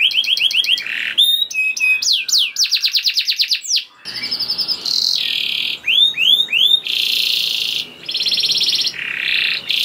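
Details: Canary song used as a lure to prompt other canaries to sing: rapid varied tours of repeated high notes, falling sweeps, trills and buzzy rolls, each phrase switching abruptly to the next, with short pauses.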